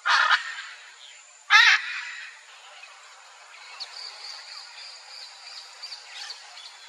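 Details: Pair of Hyacinth Macaws (Anodorhynchus hyacinthinus) calling together in the wild. Two loud, harsh, raspy squawks about one and a half seconds apart, followed by faint high chirps from other birds in the background.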